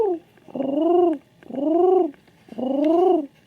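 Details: Repeated low coos from a king pigeon, each a drawn-out note that rises gently and then drops, spaced about a second apart, with a faint steady tone behind.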